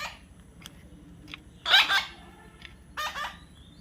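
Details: Baby parrot being tamed gives two short, harsh raspy squawks a moment apart amid quiet, with a person softly coaxing nearby.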